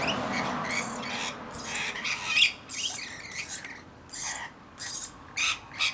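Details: Screeching Rainbow Lorikeets from a flock of around 40 birds caring for a lone baby: grating, squawking bursts about every half-second over a low background murmur, several birds calling in turn.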